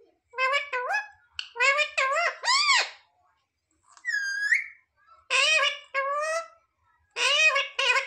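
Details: Parrot mimicking speech such as "mummy papa": clusters of two to three sing-song harmonic syllables, a clear upward-sliding whistle in the middle, then more word-like phrases.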